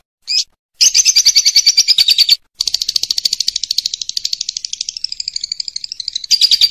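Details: Lovebird ngekek used as masteran: a single chip, then long runs of rapid, pulsing chatter broken by short pauses, shifting slightly in pitch.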